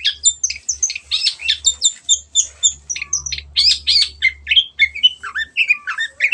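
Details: Long-tailed shrike in busy, varied song used as a singing lure: rapid squeaky and scratchy notes mixed with short whistles, tumbling on without pause, a low steady hum underneath.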